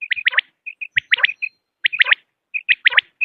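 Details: Repeated three-note calls of common quail, each phrase opened by two soft short pips and followed by a sharp ringing triple, coming roughly every 0.8 seconds.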